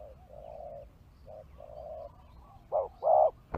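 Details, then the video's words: Spotted dove used as a lure for wild birds: soft, muffled coos at first, then a louder, closer short-long coo pair near the end, with a sharp click at the close. "Pikat Tekukur Di Hajar Burung Liar"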